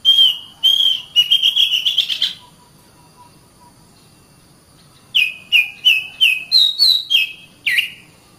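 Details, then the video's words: Caged Oriental magpie-robin, training song: long whistles and a fast rising run, several seconds of quiet, then a lively series of dropping and rising whistled notes. "SUARA BURUNG - Masteran Terbaik Kacer"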